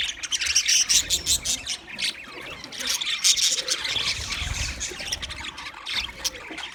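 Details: Green budgerigars chatter with quick, irregular high chirps and squawks, about two or three a second, growing louder around the middle, then easing slightly.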